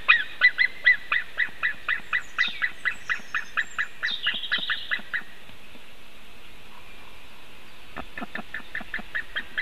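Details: White-tailed eagle at a nest on a 2018 webcam in Latvia gives a rapid series of yelping, harmonic notes, about four per second, with a pause and then a second run; faint higher chirps overlap.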